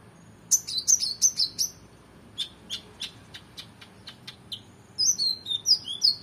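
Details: Oriental magpie-robin, singing with intensity for training competition birds: a quick burst of rich whistled notes, a series of evenly spaced sharp ticks, then fluid warbling phrases at the end.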